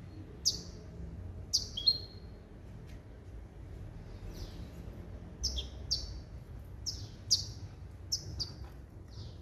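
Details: Male goldfinch by female canary hybrid bird, trained in limpio song composed of basic goldfinch calls: short, sharp high chirps spaced irregularly, about one every second, over faint low room noise.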